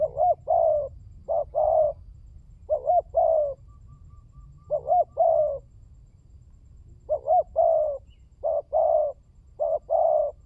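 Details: Spotted dove (tekukur) lure call used to prompt birds to call: low mellow cooing phrases, each a quick two-note stutter and a longer drawn-out coo, repeated about seven times with short pauses.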